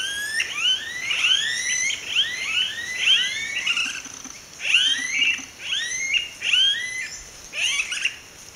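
Smooth-billed anis give whining, upward-slurred whistles, several per second in overlapping bursts, as though a few birds call together.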